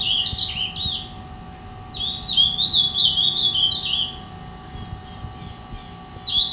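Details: Angry-style song of a three-year-old Ultramarine grosbeak kept as a cage bird: clear, slurred warbled phrases, one short burst then a longer flowing run, over constant mains hum and indoor background noise.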